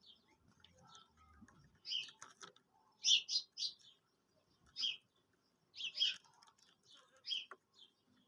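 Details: Quail calling as a hunting lure: short, bright, clipped notes in clusters of one to three, repeated with quiet gaps between bursts, over a faint low rumble.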